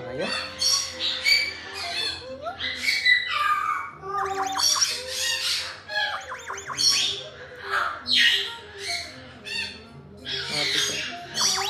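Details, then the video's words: A young female red-fronted parrot, which says "good morning" in a cute voice, gives a busy run of harsh squawks, rasping chatter and short high chirps almost without pause; a person's voice is briefly heard. "ズアカハネナガインコ 可愛い鳴き声の仔"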